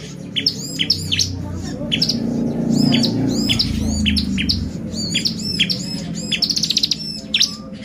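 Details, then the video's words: Lively bar-winged prinia lure song used to agitate other birds, a busy run of bright arched chirps and quick whistled notes, with a short fast trill near the end, above a low droning background. "PANCINGAN CIBLEK GACOR bikin burung ciblek EMOSI !!"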